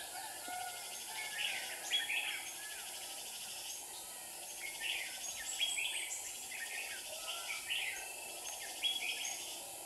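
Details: Red-whiskered bulbuls at a trap in Hòa Bình, Vietnam, with two caged decoy birds luring a wild bird: short bright warbled phrases repeated every second or two over a steady high hiss.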